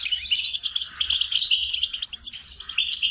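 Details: Training song of a goldfinch for songbird lessons, a continuous, high, tinkling warble of fast chirps and short buzzy trills with no pauses.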